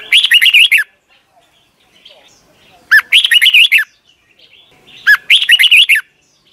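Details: Red-whiskered bulbul from Thailand, caged, its song meant for young birds to learn each morning. Three loud, cheerful phrases of rapid bubbling whistles, each under a second, separated by short silences.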